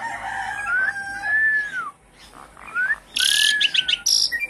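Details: Javan pied starling singing to prompt a silent caged bird: long smooth whistles that rise and fall, a brief gap, then a loud harsh burst with overlapping whistled notes.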